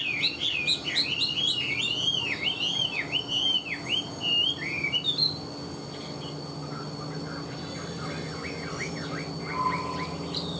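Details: Chinese hwamei, a caged songbird, pours out fast high looping whistled phrases for about five seconds, then quieter distant-sounding warbles with a steady hum behind.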